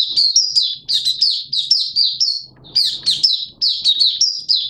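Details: Malaysian Oriental white-eye (mata puteh), a kept hobby bird, in open-beak singing: rapid high chirpy phrases of slurred notes sliding up and down, delivered in bursts with brief pauses, faint low knocking underneath.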